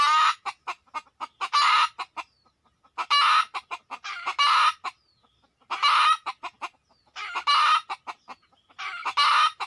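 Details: Red junglefowl coming in to a lure within two minutes: steady rhythm of sharp clucks, each run ending in a loud, coarse squawk, repeated about every one and a half seconds.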